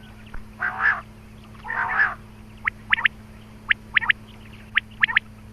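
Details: Quail (batair) calling used in quail hunting. Two rasping, drawn-out bursts are followed by sharp, thin notes in quick pairs and triplets, with a faint steady hum.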